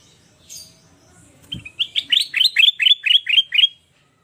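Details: Sooty-headed bulbul in full song for luring and tutoring birds, opening with a thin high note, then a brisk string of about ten loud, rising whistled phrases, each slurred upward.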